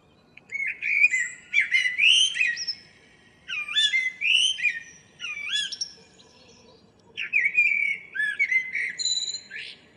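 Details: Morning song of a local common blackbird, 2 April 2013: three rich warbled phrases, each a mellow fluted start breaking into higher twittering flourishes, separated by short pauses.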